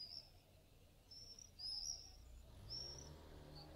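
Common swifts give thin, shrill screams, high-pitched and drawn out, repeated three or four times in a few seconds over a low background rumble.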